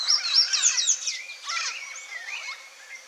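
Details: Wild sayaca tanagers visiting a Brazilian backyard in search of food give thin, high, squeaky chirps in quick bursts, several notes overlapping, then fading into scattered softer twitters over a faint background hiss.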